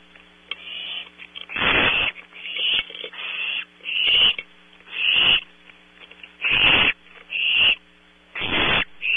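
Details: Barn owl owlets at night at Audubon Starr Ranch, California, giving repeated harsh rasping hisses, each about a second long, every second or so, some louder than others, over a low steady hum.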